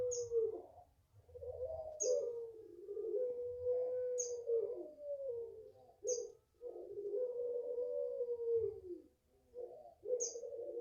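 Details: Barbary dove, locally called puter pelung, five months old and raised in the owner's garden, producing a drawn-out long voice: low, mellow cooing held for several seconds with slight wavering, broken by brief pauses; high thin chirps of small birds recur every two seconds.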